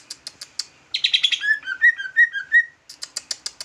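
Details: Leafbird described as jumbo, singing trucukan-style: a few sharp high ticks, a dense buzzy rattle, then a string of rich slurred whistles wavering up and down, closing with rapid ticking notes.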